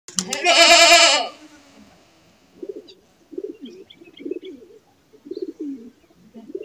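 A loud, harsh bleat-like cry opens, then a pigeon gives low, soft rolling coos in short bursts roughly once a second.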